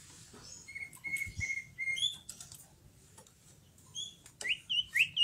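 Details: Greater green leafbird in full song, mixing flat whistled notes, scattered clicks and high thin phrases, ending in a few loud rising slurred whistles; soft low background noise throughout.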